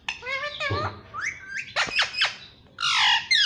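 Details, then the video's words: Indian ringneck parrot kept as a pet, saying "mummy mummy": harsh, nasal, voice-like squawks with bending pitch, a few sharp downward-sweeping notes, and a final burst of strained, screechy sound over room hum. "Pyaara Parrot Mummy Mummy Bolta hai"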